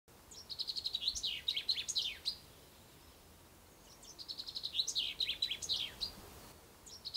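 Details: Common chaffinch singing at dawn on the first day of spring from poplars on the bank of the Ucero river: two full strophes of bright, rapid descending trills ending in a flourish, separated by a short pause.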